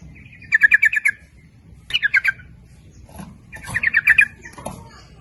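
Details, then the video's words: Lure song of a sooty-headed bulbul, used to call both males and females, in the 'nguplik ropel' style: three clear phrases of rapid, evenly spaced bubbly notes, the middle phrase shorter, over faint low rumble. "Suara Pancingan Trucuk gacor memanggil jantan maupun betina ikut bunyi nguplik ropel"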